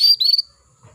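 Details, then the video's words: Female canary calling to males, meant to stir male canaries into singing: a single sharp high chirp followed by a short trilled note, then quiet. "PANCINGAN KENARI BETINA MEMANGGIL JANTAN"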